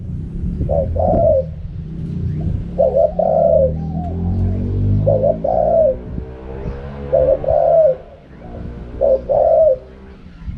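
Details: Wild 'karam pa' style song of a spotted dove: five hoarse two-note coo phrases about every two seconds, each a brief note and a drawn-out rolling coo, over a humming, banded background drone.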